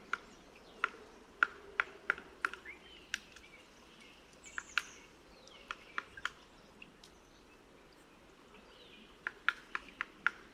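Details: Black Woodpecker heard at close range in February, before the breeding season, tapping different spots of wood to test for hollowness and find wood-boring larvae; sharp irregular knocks, some in quick pairs, over steady car noise and faint chirps.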